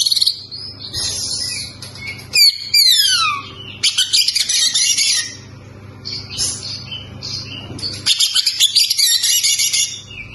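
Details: ['Oriental magpie-robin (kacer) song for encouraging untrained kacer to sing. Bursts of rapid twittering alternate with steep, descending whistled slurs. The phrases are separated by short pauses over a low background hum.']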